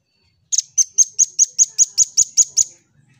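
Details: Song-training recording of a lively red-billed scimitar babbler: eleven piercing high chips in a brisk, regular series, about five each second, with soft low knocks in the background.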